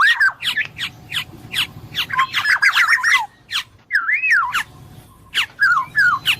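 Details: Black-naped oriole delivering a rapid string of clear looping whistles, rising and falling notes tumbling together, then slower separate slurred phrases after a short gap.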